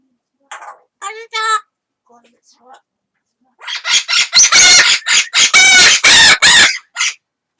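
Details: Amazon parrot kept as a pet, another bird reacting to its voice: a few soft, nasal chuckles and faint notes, then a burst of loud, harsh, rasping squawks repeated quickly for about three seconds.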